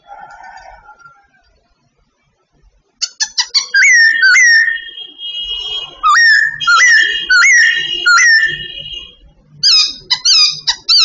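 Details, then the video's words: Babbler in training, singing: after a few quiet seconds, loud whistled notes that sweep sharply upward, repeated in quick series with short buzzy accents between, then a final burst of rapid clipped notes. "Bird training Babbler singing everyday"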